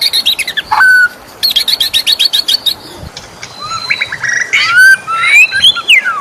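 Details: White-rumped shama singing in the morning: a varied run of rapid high chirps and clicks, then sliding whistles rising and falling between phrases, with a faint rushing background.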